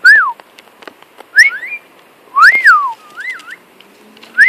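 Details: Flying pet cockatiel, male, sings loud wavering whistles that rise then drop, spaced about a second apart, one note bending up and down twice.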